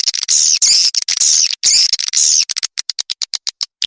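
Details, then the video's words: Swiftlet sound meant to draw swiftlets: long harsh buzzing twitters repeated several times, then a run of evenly spaced quick clicks, loud and dry. "Suara walet gratis"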